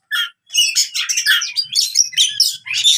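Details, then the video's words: Oriental magpie-robin in fighting song, used to train birds that have stopped singing: dense, rapid bursts of sharp chirps, buzzy notes and short whistled slurs high in pitch, following a brief opening phrase and pause. "KACER TARUNG COCOK UNTUK KACER MACET BUNYI"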